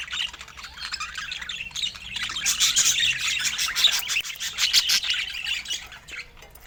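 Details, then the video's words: Several budgerigars in natural Scandinavian light keep up a continuous warbling chatter, swelling louder in the middle into thick bursts of bright, scratchy chirps and tweets, then easing off near the end. "Balanced Fruit and Healthy Food for Budgies with Natural Sounds"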